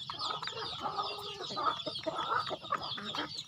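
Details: Chickens being fed on a home farm: a dense, blurred chorus of high, falling peeps over soft lower clucking and rustle, with no single caller standing out.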